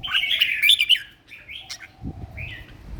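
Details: Competition red-whiskered bulbul singing in a cage: a loud warbled phrase, then softer slurred notes, with faint low knocking noises late on.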